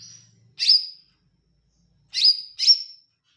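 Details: Olive-backed tailorbird giving a single sharp, ringing note, then after a pause a quick double note, bright and high, with faint low hum at the beginning.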